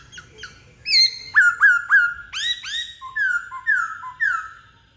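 A Black-throated Laughingthrush sings loud, rich, whistled notes, each slurring down then up, in a quick run of about eight phrases, with a quiet background.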